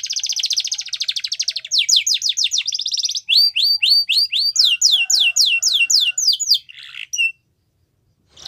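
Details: Yorkshire canary training song for young canaries, opening with a fast buzzy trill, followed by rows of repeated high sweeps and a short rough note before silence.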